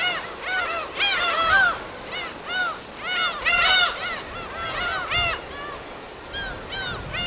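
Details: Field recording from a wild gull colony on an uninhabited island in Korea's West Sea: dense, overlapping yelping cries rising and falling in loud clusters, several birds at once, little other sound.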